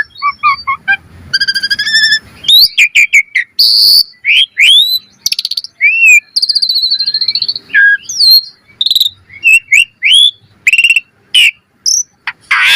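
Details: Full-variation gacor song of jalak suren, the Asian pied starling, used as a training lure: a varied medley of harmonic whistles, fast buzzy trills, swooping glides and harsh squawks over thirteen seconds.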